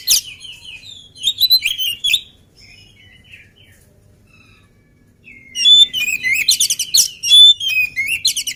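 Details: Oriental magpie-robin, an active, agile bird not yet fed, singing in bursts: varied high whistles, twitters and rapid trills, one loud phrase group, a quiet gap of near-silence, then a denser, louder run of sweeping notes and chatters.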